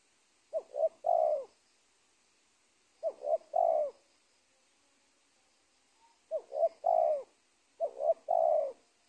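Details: Spotted dove near a former cornfield bordering teak trees in Indonesia, during trapping. Four coo phrases in two pairs, each a quick double note then a long falling coo, with quiet gaps.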